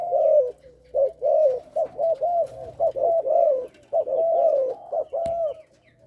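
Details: Spotted dove of Malaysian stock kept in captivity, giving a stuttering coo over the first three notes, then a run of soft, low, rounded coos in quick, irregular groups, with a sharp click near the end.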